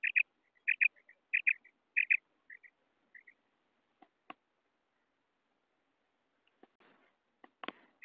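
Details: Female quail calling in Pakistan, the call used as a lure for quail hunting: bright doubled high notes repeated roughly every half second, then fading into scattered clicks and faint knocks with quiet gaps.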